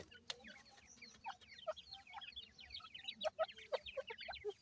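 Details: Captive partridge (teetar) chicks, with Iranian pheasant chicks nearby, calling as they feed: rapid overlapping high peeps sliding downward, several ringing tonal chirps standing out near the end, and a few sharp clicks.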